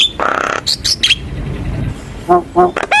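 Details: Javan myna lure recording for young birds: a wheezy drawn-out rasp, short squawks, then nasal harmonic calls near the end.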